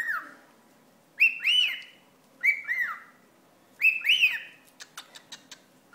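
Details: A pet cockatiel, bothered by a paper towel wad, repeats loud paired screechy calls about every 1.3 seconds, each rising then falling, with a burst of dry ticking sounds at the end.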